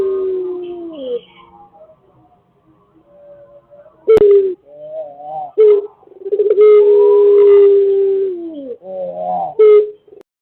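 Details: Lure recording of an active Pelung chicken. Several drawn-out crows with wobbling, bending pitch rise and fall. Loud sharp onsets break in over softer overlapping tones, and a long level note dips at its end.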